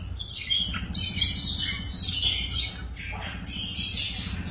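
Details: A caged Siberian rubythroat pours out a rapid, high twittering warble of chirps and thin whistles, with a steady low background hum.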